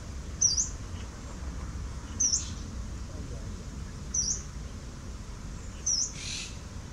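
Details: Call of a yellow-browed warbler on 10 November 2018, four shrill high-pitched slurred notes spaced about two seconds apart, with a brief rustling noise burst near the end and low background rumble.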